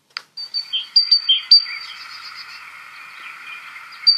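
A Great Tit gives a quick series of sharp, high chirps and ringing notes over about a second and a half, then fades into a faint hiss.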